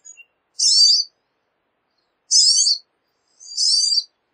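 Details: Pine siskin giving three separate harsh, buzzy high notes, each about half a second long, spaced by pauses of one to two seconds in otherwise silent surroundings.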